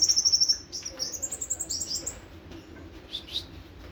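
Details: Kolibri ninja, the olive-backed sunbird, in nembak sejalur song. It opens with a fast, very high rattling trill of about eight notes, followed by softer buzzy high chirps and a few fainter notes.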